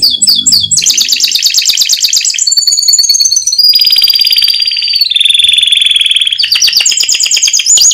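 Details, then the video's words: Competition-winning canary (Serinus canaria), recorded in 2022 as a training song for other birds: loud, continuous rolling trills that shift through rapid high tours, long steady whistled notes and buzzy rattles without pause. "Masteran Kenari Juara Lomba ( 2022 )"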